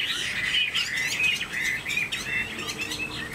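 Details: Short passage of song from a tame caged Chinese hwamei: clear, liquid whistles in quick succession, each note looping up and down, delivered at a lively, uneven pace.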